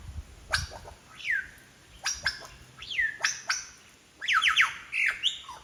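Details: Wild lyrebird in Sydney's Royal National Park belts out borrowed calls: sharp clicks and slurred downward whistles spaced about a second apart, ending in a quick burst of chattering notes in quiet forest.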